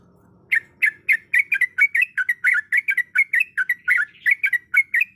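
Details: Female yellow-vented bulbul in heat calling to attract a male: after brief quiet, a continuous stream of clear, bubbly chirps, some doubled, about four per second.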